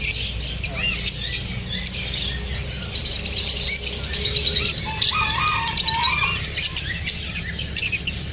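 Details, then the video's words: Several lovebirds chirp after feeling unsafe while being filmed. Overlapping high, busy chirps and twitters form a dense chatter, with a few lower whistled notes and a steady low background hum. "The sounds of parrots after feeling unsafe."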